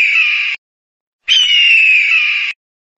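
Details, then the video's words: An eagle gives two harsh, raspy screams: a half-second one, then a longer drawn-out one a second later. Both are high and hoarse, with no other sounds. "독수리 울음 소리"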